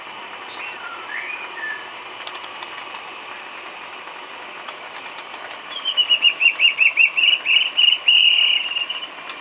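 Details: White-rumped shama song used as isian filler for training cage birds: mostly quiet background hiss, then a fast, loud rattling trill of repeated high notes lasting about three seconds.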